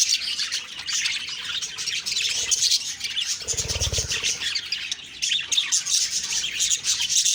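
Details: Budgerigars chirping on a morning of October 2, 2023: dense, continuous high twittering and warbling chatter from several birds, with a brief low thump midway through.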